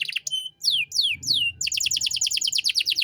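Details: Canary song for training young birds: a few quick notes, three long descending whistled slurs, then a fast regular trill, over a faint low rumble.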